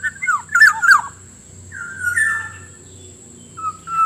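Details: Black-naped Oriole lure sound used to attract wild birds: mellow fluted whistles sliding around a mid pitch, a quick burst of slurred notes near the start, then two longer level whistles, over a steady high electronic-like tone.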